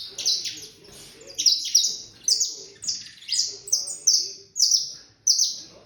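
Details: Eight-month-old saffron finch in training for a singing tournament delivers a string of high, piercing down-slurred notes, each phrase roughly half a second apart, with a faint low murmur behind.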